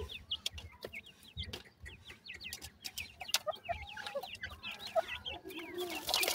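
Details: Teetar chicks, the grey francolin, calling with many quick high chirps in overlapping series; a hissing noise swells near the end.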